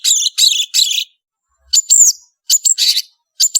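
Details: Long-tailed shrike (Lanius schach), also called rufous-backed shrike or cendet, singing lively: three harsh, buzzy high chattering bursts, then a pause and sharp whistled slurs mixed with scratchy notes in short phrases.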